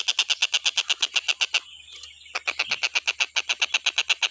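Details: Stork-billed kingfisher recorded as a tutor track for training other songbirds, calling nonstop: harsh, rasping notes repeated rapidly, about three per second, pausing briefly mid-series before resuming. A steady thin high whine runs underneath.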